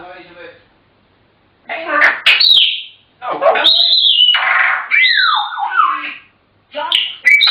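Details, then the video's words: Indoor African grey parrots: voice-like chatter runs into bright whistled swoops that fall in pitch, bursts separated by brief silences, a talking-bird medley. "Chatterboxes!! African Grey Parrots"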